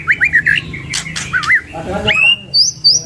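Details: White-rumped shama from a singing pair, giving wavering whistled phrases and a harsh buzzy note, then two high clear whistles at the end.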